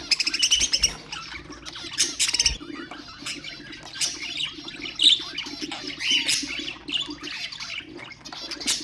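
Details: Budgerigar song for stimulating other birds: a long, rambling warble of squeaks, buzzes and slurred whistles, with a few loud chirps standing out.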